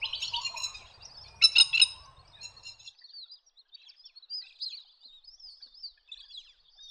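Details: Wandering whistling-ducks calling: a busy flock chorus of high, thin, twittering whistles, with a louder burst of rapid chattering notes near the start and softer whistles continuing afterward.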